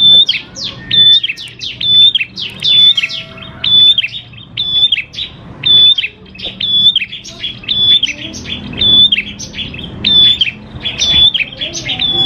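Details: Prinia song of the prenjak klawu type, a lively singer used to lure prinias into singing: high chirps repeated about once a second, each with a sharp whistled note, mixed with quick twittering overlapping calls and low background hum.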